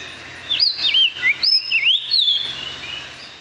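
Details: Calandria, the Puerto Rican Oriole, endemic bird of the San Juan Bay Estuary in Puerto Rico, sings mornings and afternoons; a series of quick melodic whistled notes swooping up and down, several phrases in close succession, fading at the end.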